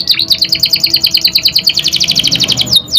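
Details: Young canary singing as a lure recording: a fast run of sharp, high, doubled chip notes repeated about three times a second, then a brief upward-sweeping whistle at the close.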